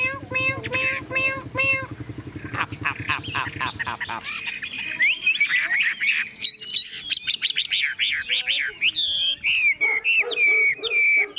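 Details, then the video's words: Tame caged Chinese hwamei singing while its cage is hand-carried and shaken; after a low harmonic rumble, rich rapid song of loud whistles, slurred notes and sharp chips fills the rest. "Họa mi thuần điện căng đét - Xách tay lắc lồng hót đỉnh"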